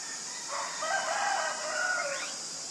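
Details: Common myna recorded in Ubon Ratchathani, Thailand, on 24 February 2022 with a Nikon P1000, giving a drawn-out, raspy, wavering call lasting nearly two seconds that ends in a brief upward sweep, against a steady shrill insect background.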